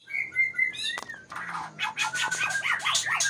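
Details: White-rumped shama of the Aceh type in song: a steady whistled note, then a rising slur, then dense harsh chattering notes mixed with short sliding whistles.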